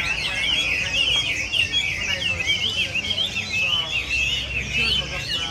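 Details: Several Chinese hwameis sing at once, producing a steady stream of varied, looping whistled notes and quick trills layered densely together.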